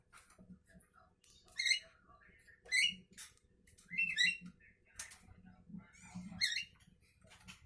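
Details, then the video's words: Morning calls of a Javan myna: harsh, squeaky rising notes repeated about once a second, mixed with short clicks and a low background hum. "Burung jalak kebo pagi Hari"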